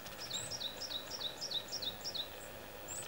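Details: Varied tit perched on a tree branch singing, though the recorded calls may be from a nearby Japanese tit: a quick run of high, thin two-note phrases, each slurring downward, about four per second, over a soft hum.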